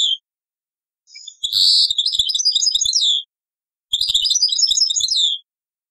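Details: Old cassette recording of a European goldfinch in Taqsrayn song style: two long phrases, each starting with a harsh buzzy note and running into quick, liquid twittering.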